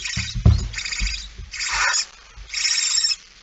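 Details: Scraping and knocking open a sequence of barn owl hisses recorded 17 September 2019 at 06:11 as a female arrives with a mouse; four coarse rasping bursts follow one another closely.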